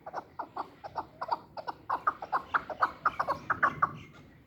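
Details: Chukar partridge, described as a hunting partridge; a rhythmic series of short, clucking notes repeated steadily about four to five times a second, growing slightly louder through the run, with no other clear sounds.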